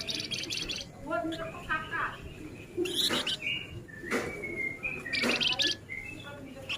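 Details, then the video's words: Male flamboyan singing rapidly, giving short high trilled bursts mixed with brief whistled notes and chirps, against a low steady background hum. "Suara Alami Flamboyan Jantan Gacor Nyerecet Rapat"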